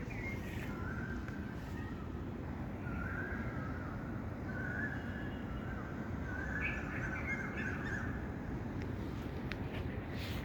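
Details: Birds chirping outdoors: short tonal whistled notes come in scattered bursts across the clip over a steady low rumble of background noise.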